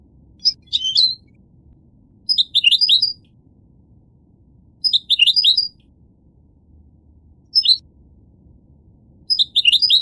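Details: A goldfinch gives short, scattered bursts of high chirpy twittering roughly every two to three seconds, with quiet gaps and faint low background hum between them.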